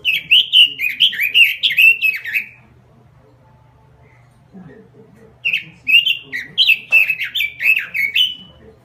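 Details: Active robin song: loud chains of bubbling, slurred whistles repeated in rapid phrases, a two-second hush, then another burst of warbling notes.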